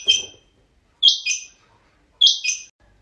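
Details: Kept rain quail calling: three sharp, high double notes, each a quick two-part burst, repeated about every 1.2 seconds in an otherwise quiet setting.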